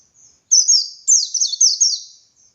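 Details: Dakun white-eye in full ngalas-style song, a recording used as a master to train other white-eyes: rapid, very high, thin twittering phrases of quick descending sweeps, strung together in a bright run after a short opening note, no other sounds.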